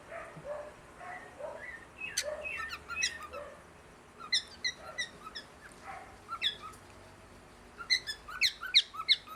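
A cockatiel gives bursts of sharp, chirping calls, some harsh and some whistled, in quick uneven runs.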